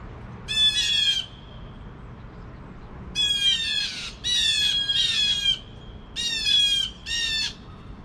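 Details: A couple of blue jays alarm-calling at 7 AM give harsh, grating jeer calls in bursts of about a second, five or six times in eight seconds, over a quiet background.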